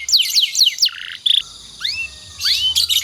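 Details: Canary song used to train other canaries: a few fast downslurred whistles, a low buzzy note, then separate rising and falling whistled sweeps with short gaps between them.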